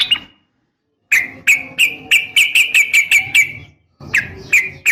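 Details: Rapid call of a female sooty-headed bulbul summoning a male, used to stir males to respond. After a gap, a burst of quick, sharp chirping notes in an uneven row, a pause, then a few more notes.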